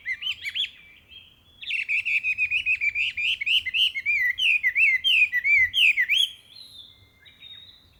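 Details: Loud song of a Chinese hwamei filling a spring forest in Ikuta Ryokuchi, Kawasaki, Kanagawa, Japan, 26 April 2026: a short opening whistle, a pause, then a rapid run of about twenty slurred, rising and falling whistled notes, ending with softer trailing notes.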